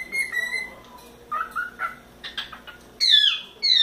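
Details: A four-month-old pet cockatiel playing on its playground whistles steady notes, then short chirps, then two loud, downward-sliding screechy calls.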